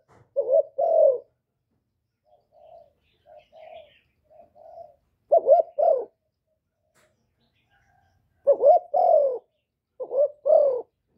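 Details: Spotted dove (cu đất) used to excite decoy and male birds, recorded cleanly. Loud paired coos open and close the stretch. In the middle there are several soft, short single coos.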